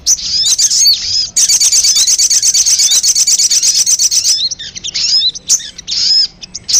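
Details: Sogon call used to attract birds: a few high chirps, then a steady three-second run of rapid buzzy trilled notes, then scattered thin chirps.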